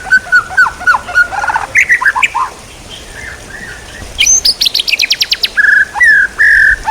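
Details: A varied white-rumped shama phrase for training other songbirds, mixing whistled slurs, choppy notes, a brief gap, then a burst of very high rapid clicks and two long steady whistles.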